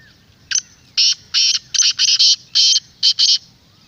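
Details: A black francolin calls to stir other francolins into answering. Its loud, harsh phrase has about eight grating notes, some drawn out and some doubled, delivered rapidly and unevenly across three seconds.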